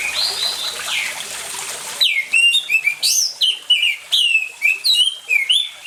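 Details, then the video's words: Orange-headed thrush in full vigorous song, paired with water sounds as a lure for silent birds: after faint calls over trickling water, loud, varied high whistled phrases are rapidly repeated with sharp rising and falling slurs. "ANIS MERAH GACOR DENGAN SUARA AIR, PANCINGAN ANIS MERAH MACET CEPAT BUNYI"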